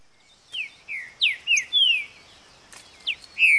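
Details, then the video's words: A green-winged saltator sings a rapid run of about six clear, rich whistled slurs, some falling and some rising, over a quiet background. "CANTO DO PASSARO TRINCA FERRO"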